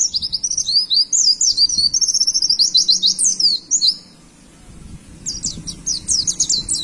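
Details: Pet white-eye song meant to train caged birds: fast, high, chattering run of zigzag notes for four seconds, a short quiet gap, then another quick burst of sharp chirps.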